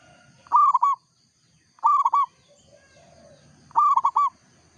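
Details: Three matching phrases from a local zebra dove, one about every 1.6 seconds. Each phrase is a rapid run of mellow, bubbling coos, with quiet pauses between.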